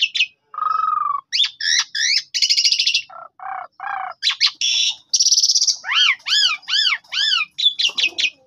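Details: Lure recording of an energetic Javan pied starling to prompt a sulking bird to reply; low nasal rattles, buzzy bursts, then a run of repeated arched whistled notes and sharp chirps.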